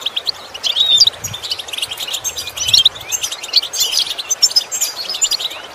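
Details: Goldfinch song from a lesson meant to train goldfinches to imitate sounds; rapid liquid twitters and sharp high chirps run almost continuously, with brief clear whistled notes scattered through.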